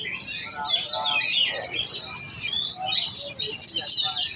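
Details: Caged oriental magpie-robin in competition training, pouring out fast varied whistles and scratchy chatter, a busy unbroken medley with a faint voice-like murmur in the background.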